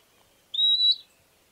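A Southern Beardless-Tyrannulet gives a single clear, high whistled note, held steady for almost half a second with a slight lift at the end; otherwise quiet.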